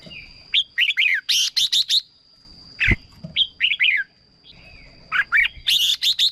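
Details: Red-whiskered bulbul song played to excite birds or serve as a decoy: bright, bubbling whistled phrases of quick warbled notes, broken by pauses, over a steady high electronic whine.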